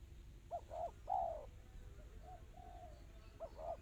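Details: Spotted dove cooing in the tight, fast 'kristal' manner: one full phrase of two clipped notes and a falling coo, then quiet soft notes, then the opening of the next phrase, over a low droning background.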